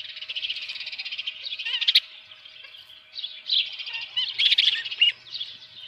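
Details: Osprey nest with a live fish, 24 June 2018, morning: a softer, steady stream of thin high chirping, a lull, then louder piping notes. Faint low hum underneath.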